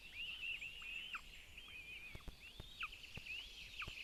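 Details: Two Northern goshawk chicks gobble food delivered by their mother at a Latvian nest in Zemgale. Arched, whistled squeals repeat roughly every half second, each ending in a downward slur, with sharp clicks in between.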